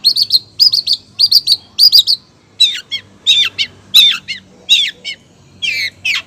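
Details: Female long-tailed shrike calling to a male: paired high chirps repeated at first, then harsher, raspy descending notes roughly every half second, about eighty per minute and irregular.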